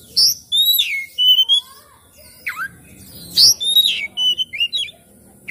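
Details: Oriental magpie-robin song used as a lure to prompt a reluctant magpie-robin to sing and fan its tail: clear whistled phrases, sharp downslurred notes and short rising flourishes in quick bursts, with a faint background hum.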